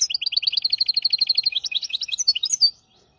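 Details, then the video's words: Hybrid finch tutor song for training goldfinches and canaries, hafada and widani style: a fast, evenly pulsed trill of high notes for about two and a half seconds, ending in rising twittered flourishes. "تغريد رهيب طائر الهجين ميسترو حفاضة ويداني لتعليم طيور الحسون والكناري بدون أخطاء"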